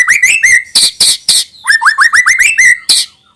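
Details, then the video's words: White-rumped shama song played to lure young birds into singing regularly: rising whistled notes near two kilohertz alternating with harsh broadband bursts, fast repeated phrases with a short pause before a final burst. "suara burung MURAI BATU UNTUK MEMANCING MB BAHAN AGAR RAJIN BUNYI DAN GACOOR |SHAMA BIRD"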